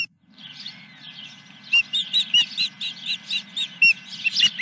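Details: Osprey at the nest on the morning of 10 July 2021, at about 09:20, near the first fish of the day: a quiet start, then a run of sharp, high whistled chirps repeated about every third of a second, over a steady electrical hum.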